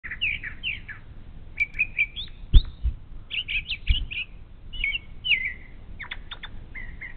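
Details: Brown thrasher singing in the morning, recorded on a live stream camera at a Bald Eagle nest along the Little Miami River, Ohio: a varied run of short whistled and buzzy phrases, many repeated, with occasional thumps.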